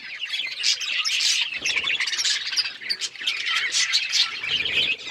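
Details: Budgerigars interacting playfully, a group keeping up a steady stream of high chattering chirps with harsher squawky notes mixed in and small knocking sounds underneath.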